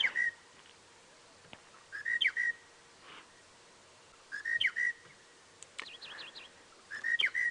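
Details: A Monotonous Lark, singing its heart out on a 7:00 AM sunrise safari drive on March 20, 2017, repeats a short, mellow whistled phrase with a quick upward flourish about every two and a half seconds; another bird adds a brief wavering trill.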